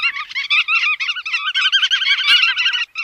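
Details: Continuous nasal chatter from chắt đuôi vằn, with tightly packed, buzzy harmonic notes running without a break for three seconds and one sharp click near the end.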